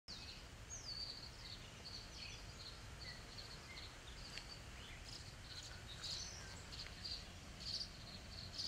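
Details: Three tree swallow young in Montreal, Canada, as an adult feeds one: thin, high chirps, short notes scattered through and growing brighter near the end, over a steady low rumble of background noise.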